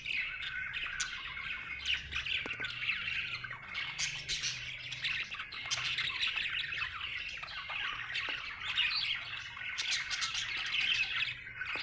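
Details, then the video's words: A budgerigar described as happy chirps and warbles at length, rapid twittering mixed with sharp tweets and clicks, rising and falling in loudness, with a faint low hum underneath. "Happy budgie chirping sound"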